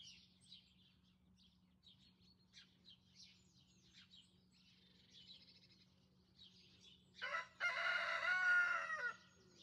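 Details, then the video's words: Rooster crowing in a garden on a cold day, breath visible; after soft scattered chirps and clucks over a steady low hum, a loud harsh crow bursts out near the end, lasting about two seconds. "Gabriel the Rooster crows"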